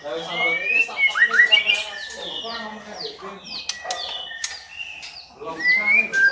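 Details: Female white-rumped shama calling to stir a male into full song: a rapid run of clear, slurred whistles sweeping up and down, with sharp ticks between phrases and a faint low hum beneath.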